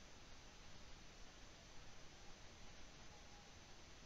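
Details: Steady low hiss with faint rustling and no animal calls.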